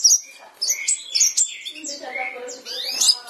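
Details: Sooty-headed bulbul in gacor form, sung to provoke a quiet bulbul: bright high slurred whistles and chips followed by a low rich warble.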